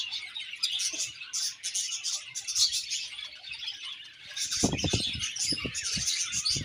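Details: Budgerigar colony chirping happily: dense, overlapping high twittering and chattering chirps throughout, with a run of low thumping bursts in the last two seconds.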